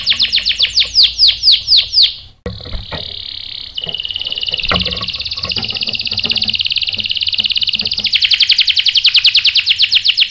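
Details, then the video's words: Canary song used as a lure to make other birds respond; downslurred whistled notes, a brief break, then a long fast rolling trill that grows louder and coarser toward the end. "PANCINGAN KENARI GACOR bikin EMOSI jadi NYAUT NGEROL TAJAM | CANARY SINGING"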